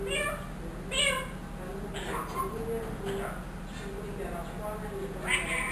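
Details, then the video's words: One-year-old trained ringneck parrot imitating human words and a cat's meow: several separate rasping, meow-like and word-like bursts, some rising then falling, spaced irregularly across the recording over faint background hum. "TALKING RINGNECK PARROT SAYS ALLAH HO,MEOW,MITHO BETY"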